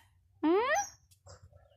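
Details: A Bangla-talking pet parrot gives a single short, harmonic call that sweeps upward in pitch, then fades. Soft background hum and faint room sounds follow.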